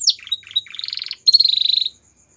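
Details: Belgian canary singing a short phrase: a high falling note, a few buzzy warbles, then a rapid rattling trill that fades into quiet.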